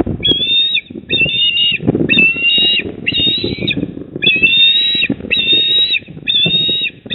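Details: Eastern osprey at the nest, Port Lincoln, South Australia, 28 October 2024 at 19:26: a series of clear whistled calls, each short burst repeated steadily about every second, over a constant low rumble of wind or background noise.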